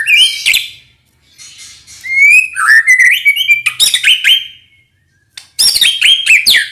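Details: White-rumped shama lure song for stirring other shamas to sing in the morning: high chattering notes, a run of climbing whistles and trills, a short silence, then a fresh burst of sharp, bright phrases.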